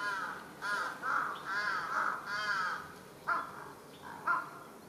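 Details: Large-billed crow raising a fuss atop a utility pole in a residential area, 1 July 2023, giving a quick cluster of hoarse, slurred caws followed by two sharper, clipped calls after short pauses.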